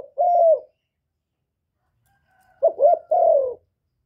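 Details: Captive spotted dove cooing as a lure to stimulate other kept doves: a single mellow coo, a pause of two seconds, then a three-part phrase of two short coos and one longer falling note; no background noise.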